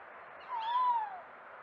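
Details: Owl hooting at night in a Burton Joyce garden on 6 May 2024, caught by a trail camera while a muntjac deer was nearby: a single smooth hoot that swells and slightly rises before fading, over a steady hiss.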